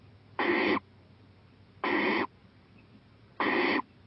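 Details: Owl, 23 April 2018 at 11:26 pm, getting more daring on a porch: three evenly spaced rasping hiss-screeches, each about 0.4 seconds, repeated every 1.5 seconds over a quiet background hum.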